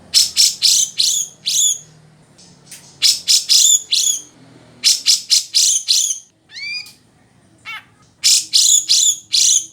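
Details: Grey-cheeked bulbul (cucak jenggot) singing for song-tutoring: bursts of three or four sharp, harsh, high notes. The bursts are separated by short pauses, with a few thin downslurred chips between them.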